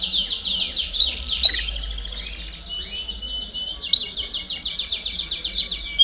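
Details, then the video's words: Singing canary, baderna style, meant to push young birds to sing faster: dense rapid high trills, fast repeated chirps at about two per second, and rolling runs of notes. "Baderna de Canario Do Reino Canto Para Estimular Filhotes a Cantar Mais Rápido"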